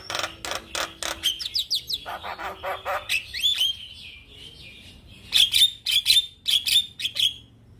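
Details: Male Javan myna singing in a loud, steady stream, kept as a model for other mynas to copy; rapid harsh clicks and buzzy notes give way to sharp whistled chips near the end, repeated roughly twice a second.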